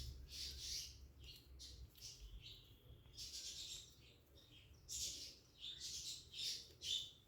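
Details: Cockatiel at its nest, nesting behaviour: a series of harsh, noisy squawks in short bursts, several clustered in the first second and more spaced through the rest, with soft low background rumble.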